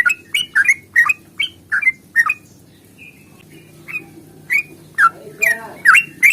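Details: Fighting song of a yellow-vented bulbul, long rapid phrasing, played to spur birds into singing; quick bright slurred notes, a brief lull, then louder rising and falling chirps with a soft low hum beneath.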